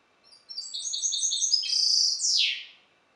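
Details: Captive-bred goldfinch hybrid from Balkan goldfinch stock, Carduelis carduelis balcanica line, singing: a rapid run of bright, high twittering notes that builds, then ends in a loud, harsh, downward-sweeping buzz.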